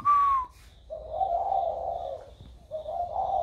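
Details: Spotted dove recorded 16 February 2020, its voice newly turned warm: after a short falling whistle from another bird, the dove gives a long, low, rounded coo and starts another.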